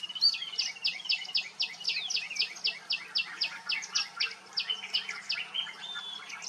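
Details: Yellow-billed babblers at Hampi give a harsh, squeaky chatter of rapid notes, about four a second, overlapping as several birds call together over a faint low hum.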